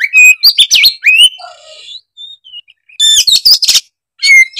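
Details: Oriental magpie-robin pouring out quick high chirps and whistles, a lower buzzy note, a pause, then another dense chattering burst.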